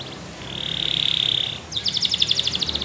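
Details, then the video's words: Belgian canary singing: a steady buzzy trill held for about a second, then a quick run of bright, clipped notes repeated several times a second. "The Best Belgian Canary Ramblings !!"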